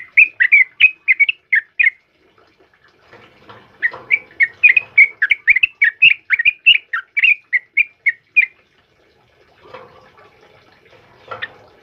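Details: Yellow-vented bulbul singing fast, chattering strings of bubbly whistled notes, about three per second. There is a short pause after two seconds. The song stops near eight seconds, followed by faint rustling.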